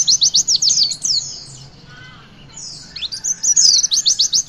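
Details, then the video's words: Javan white-eye singing the witwit style meant to prompt young birds to sing: a fast run of sharp high chips, a brief quiet gap, then sweeping whistles leading into another rapid chip series. "Pleci Bakalan Ikutan WITWIT ga pake lama Bikin Gacor!!!"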